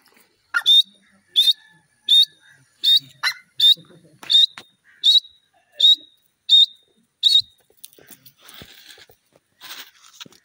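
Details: Grey francolin calling: a steady series of short, shrill, ringing notes repeated a little faster than once per second, about a dozen in a row, then fainter scattered sounds at the end.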